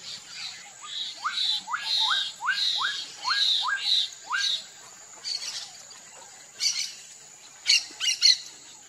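Black-capped donacobius giving a fast run of about eight loud, rising whistled notes, then harsher scratchy bursts, over a steady high insect hum.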